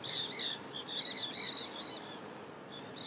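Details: Feral nanday parakeets in a flock, feasting in crape myrtle trees in downtown St. Petersburg, Florida; rapid, overlapping squeaky chatter of many birds, several notes a second, fading slightly toward the end.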